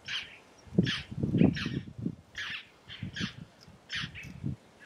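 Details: In the Caatinga a red-necked tanager, locally Maria Preta, delivers rapid high doubled notes, close to two per second, over bursts of low rumbling.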